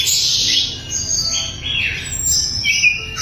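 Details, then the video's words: Sikatan londo flycatcher in lively, clear song, kept as training material for songbirds: a string of high chirps and quick downward-sweeping whistles with short gaps. "SIKATAN LONDO GACOR - SUARA LANTANG & SUPER JERNIH"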